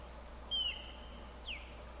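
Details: Osprey on River Road near Lake Placid in the Adirondacks, New York, on 28 August 2021: two clear whistled notes, the first short and level, the second sliding downward, over a faint steady high hiss.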